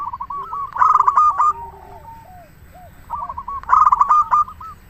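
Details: Zebra dove of a local strain singing as a lure for other doves: two phrases, each a quick staccato stutter flowing into a bright trilled coo, with fainter coos filling the gaps.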